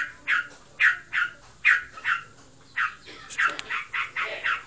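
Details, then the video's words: A pet Yellow-vented Bulbul (trocokan), said to be in breeding condition, utters scratchy, emphatic notes in uneven bursts, some doubled, then quickening toward the end; quiet surroundings. "Burungku birahi. Ngebren abiss."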